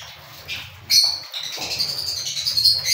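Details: Cockatiel: a brief rasping note, then a loud, sustained harsh screech with several stacked tones lasting about two seconds, over a faint low hum.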